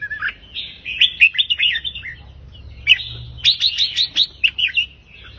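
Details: Red-whiskered bulbul singing counted 3-4-5 note phrases: a warbling run of cheerful whistles, then after a pause a rapid string of about eight bright, clipped notes.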